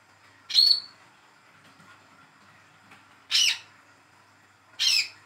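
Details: Young spotted Olive-backed sunbird, raised by hand, giving prompting calls for a bird that will not sing: three high, raspy notes, a long pause after the first, then two closer together.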